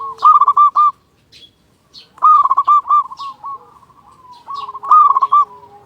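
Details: Zebra dove, a local bird with a strong voice, used as a lure to get silent doves calling: three phrases of mellow stuttering coos around one pitch, each a quick series of clipped notes ending in a trailing purr, well spaced.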